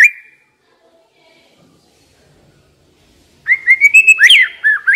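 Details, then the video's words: White-rumped shama decoy bird giving a brief whistle, then after silence a run of rising whistled notes ending in a slurred twisting flourish. "Chòe lửa mồi hót cực hay"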